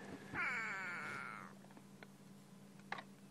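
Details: A go-away-bird gives one drawn-out, nasal, cat-like 'gwaaay' lasting about a second and sliding slightly downward, then faint clicks over a low hum; Sabi Sand reserve, South Africa, sunrise, 20 July 2016.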